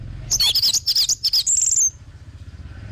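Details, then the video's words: Orange-headed thrush song for luring birds to sing: a quick series of about eight loud, bouncing whistled notes, ending in a drawn, high, falling whistle, then only faint hum. "BAGUS UNTUK PANCINGAN BURUNG ANIS MERAH BIAR TELER DAN GACOR"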